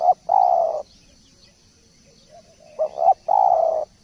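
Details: Spotted dove song used as a 'masteran' tutor: a long low coo, a pause, then two short clipped notes and another long hollow coo, steady background hiss.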